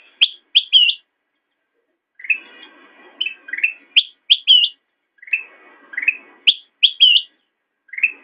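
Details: Master recording of a black-crested bulbul for cage-bird training: clusters of three sharp high whistles alternating with lower, rough, rolling phrases, the pattern repeating roughly every two to three seconds.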